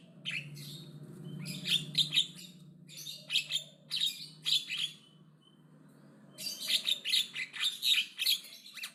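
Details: Javan myna behaving aggressively and chattering loudly: harsh, scratchy, buzzy bursts of rapid notes in three runs, separated by a brief quiet spell near the middle, over a steady low hum.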